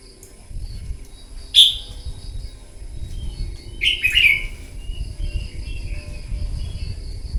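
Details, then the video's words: Newly wild-caught red-whiskered bulbul in morning competitive singing: a single sharp high note, then about two seconds later a fuller phrase of rapid slurred whistles, over steady low background rumble. "Kích chào mào bổi hót đấu " luyện giọng chào mào hót buổi sáng kích chim hót đấu căng lửa"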